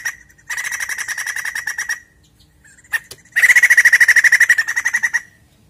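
White-crested laughingthrush giving two loud bursts of rapid, harsh chattering notes, about nine per second, each burst lasting nearly two seconds.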